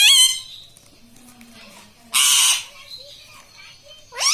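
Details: Pet talking parrot, said to mimic words. A loud squawk opens the clip, a harsh noisy burst follows about two seconds later, and a rising squawk ends it, with a faint low murmur in between.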